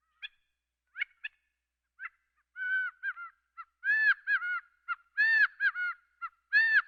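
Gambel's quail giving a few sharp clucks, then loud nasal, slurred calls in quick bursts of two or three notes, about one burst a second.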